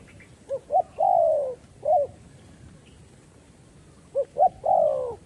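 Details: Trapping decoy spotted dove luring wild doves. The phrase is two short rising hoots followed by a long descending coo and a single hoot. The phrase repeats about four seconds later, over a quiet outdoor background.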